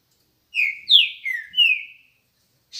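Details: Green-winged saltator singing in the morning: a short phrase of four loud, clear whistled notes, each slurring downward, the second highest and sharpest, the last long and drawn out, in an otherwise quiet background.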